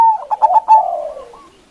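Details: Loud local zebra dove used as a lure to call out rivals. A string of quick pulsed coos slides into a slurred note that falls and fades.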